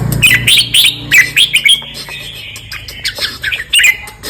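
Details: Red-whiskered bulbul singing the southern Thai 'ben' style, song 234: rapid, liquid, warbled phrases of short chirpy notes, repeated in clusters with brief gaps, plus a soft low hum underneath.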